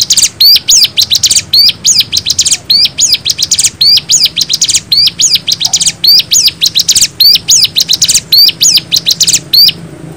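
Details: Bar-winged prinia (ciblek) singing energetically in a long master recording meant as a lure for wild birds: continuous high, thin chirps and rapid upswept notes in short bursts, roughly one burst per second, with no other sounds.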